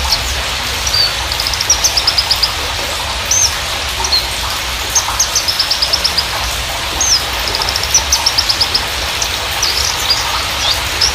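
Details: Horsfield's bush lark song used as a lure to trigger singing: bursts of rapid, high, sharp chirps and trills with short pauses between phrases, over steady background hiss.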